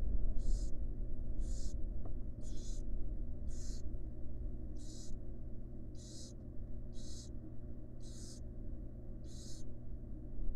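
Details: Wild barn owls in a research nest box, the mother at rest with her chicks; nine rough, snore-like hisses repeated about once a second over a continuous low droning hum.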